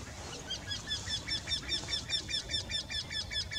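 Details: Eurasian wryneck, one of two birds singing in the same tree, gives a steady run of nasal, harmonic-rich notes at about two and a half per second, with evenly spaced, slightly rising quee-like calls throughout.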